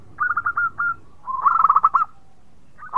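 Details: Local zebra dove, a strong sweet singer that reportedly sets others off: a row of separate short whistled coos, then a dense rolling trill of rapid notes, and a new phrase starting at the end.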